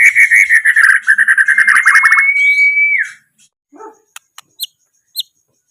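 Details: White-rumped shama singing a rapid run of buzzy, chattering notes that flows into a long, clear whistle rising slightly before dropping away. A few short, sharp high notes follow after a brief pause.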